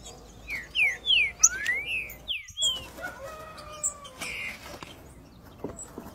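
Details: Green-winged saltator singing the song style called three-note boi: loud, clear whistled phrases of slurred notes, some rising and some falling, bunched in the first three seconds, followed by quieter background bird calls.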